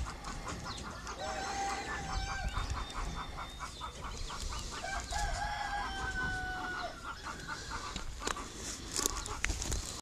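Dominique chickens give rapid, evenly spaced clucks, about five per second, with a few drawn-out, crow-like notes over a low rumble of background noise.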